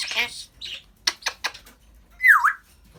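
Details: A pet African grey parrot gives a harsh raspy squawk and a few clicking pops, then a bright whistle that dips and swings back up.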